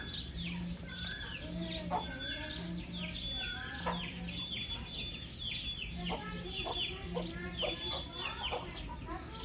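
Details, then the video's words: Baby chicks peeping nonstop, many short high chirps sliding downward and overlapping in a busy chorus, a few lower softer calls mixed in, over a steady low hum. "Soft Baby Chick Chirping Sounds"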